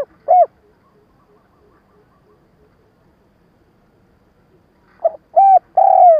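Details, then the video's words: Lure spotted dove used to provoke wild doves. A single coo, a long quiet pause with faint soft ticking, then a stuttering phrase of short notes ending in a long, slightly falling coo. "Tiếng cu gáy mồi cà lăm gù - gáy - thúc kích bổi nhanh nổi"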